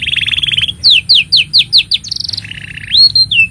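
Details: Canary master song for training young birds: a buzzy rolling tour, then a run of loud downward-slurred whistles about every quarter second, then a harsh rattle and a rising whistle.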